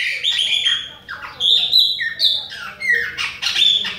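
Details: Chopi blackbird of the Bahian type singing nonstop near rival birds: long clear whistles held briefly, then quick falling notes and buzzy bursts.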